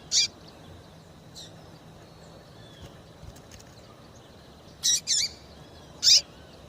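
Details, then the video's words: Female double-collared seedeater call used to stir up males, with high, brief chirps coming in an irregular burst, a quick pair then a single note, separated by quiet gaps. "Melhor Piado de fêmea de Papa capim para Esquentar e foguear Papa capim"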